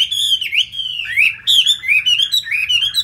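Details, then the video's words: Chinese hwamei from Hanoi, Vietnam, a loud singer good in fights. Strong sliding whistles dip and climb in quick phrases, a brief pause, then a fresh run of looping bright notes. "Họa Mi thuộc to đấu tốt"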